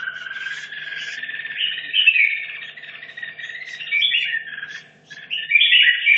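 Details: Practising for a singing competition, a caged red-whiskered bulbul from Hanoi kept 2.5 years sings an unbroken stream of bubbling, wavering whistles that swell louder in places, over a faint constant hum.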